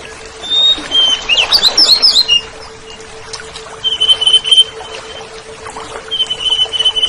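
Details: Oriental magpie-robin (kacer) song on a tutoring track for caged songbirds: a burst of jumbled twittering notes, then long flat high whistles repeated after pauses, with a steady low hum underneath.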